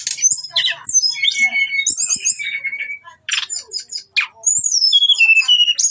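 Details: Brown-chested jungle flycatcher lure song meant to provoke fighting. Quick slurred whistles and chattering rattles come in bursts separated by brief gaps, ending in long clear descending whistles.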